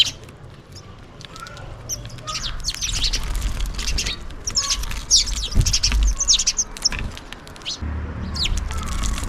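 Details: Busy chatter of house sparrows calling for food while feeding, many quick chirps running together in lively bursts, over steady low rumble.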